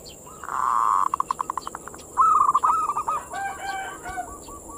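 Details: Caged-style manggung song of a zebra dove, meant to stimulate other local doves' mating drive: a rich purring coo, a run of fast clipped notes, then warbling rolled coos falling into softer trills; persistent high electrical whine behind.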